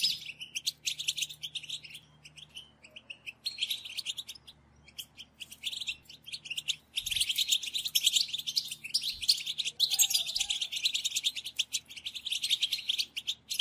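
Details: European goldfinch calls used as a lure for trapping: dense, continuous high twittering and chirping with rapid buzzy notes, loud and busy throughout, with faint low thumps near the middle.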